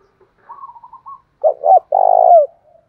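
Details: Captive-bird lure of Spotted dove song in thổ pha style: a soft higher wavering trill, then two short deep notes and a sustained rough coo trailing downward.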